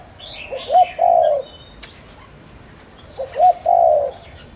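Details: Lure spotted dove cooing to excite wild doves: two identical phrases, each a quick two-part coo followed by a long, even, husky croo, separated by a brief pause, while other small birds twitter faintly.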